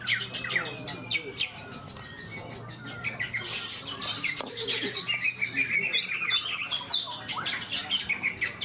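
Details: Caged greater green leafbirds (cucak ijo) in a singing contest at Malinau, North Kalimantan; dense, high chattering warbles and sharp repeated chips from several birds, with crowd murmur underneath.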